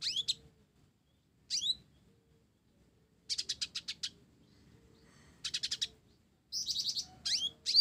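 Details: Blorok sunbird in energetic song mixed with sparrow-like phrases: rising swept whistles and long, fast, buzzy trills of high ticking notes, alternating with brief silences.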